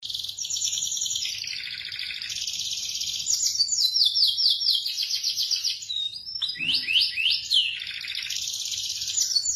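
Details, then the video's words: Local Indonesian canary singing a long, melodious song: fast high trills and rapid chattering notes, with a brief break near six seconds before bright downward-swept whistles and more rolling trills. "Suara kicau KENARI yang MERDU"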